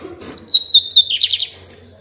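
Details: Lined seedeater (bigodinho) kept by a breeder, recorded 28 June 2022, singing a clear high whistled phrase of several pulses followed by a quick run of five or six rasping trilled notes; faint room noise behind.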